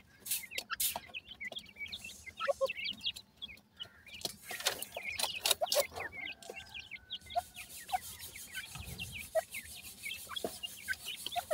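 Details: Grey francolin chicks peep constantly while feeding, short high chirps repeated many times, interrupted by loud clicks; a steady faint tone and hiss run through the later part.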